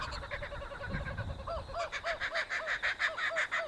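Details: Laughing Kookaburra giving its laugh in Australia, the call early settlers took for someone or some spirit laughing at them; rapid repeated harmonic hoo-hoo notes rising in a fast chuckling series, about three per second, with low rumbling background noise.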